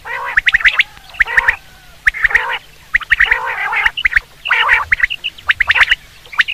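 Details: Common quail sounding for hunting, a string of gurgling, buzzy phrases with sharp clicks, alternating loud and quieter bursts.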